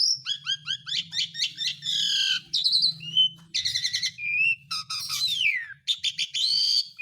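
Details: Asian pied starling song as a calling lure for lazy birds: quick repeated stacked chirps, harsh grating bursts, a brief pure whistle and a long descending slurred note before more chatter.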